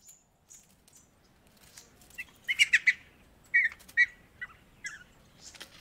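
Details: Satin bowerbird gives a run of short, harsh, buzzy notes in irregular bursts, with a few high ticks and faint rustling around them.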